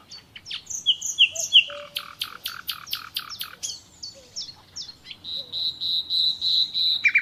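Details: Wild common nightingale: high slurred whistles, a run of loud evenly spaced clicking notes, then a rising, insistent series of bright repeated chirps toward the end.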